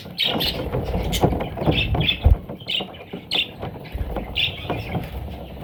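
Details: Parrot chicks giving short raspy squawks about once a second, harsh bursts over a steady background rumble with occasional thumps and handling noise.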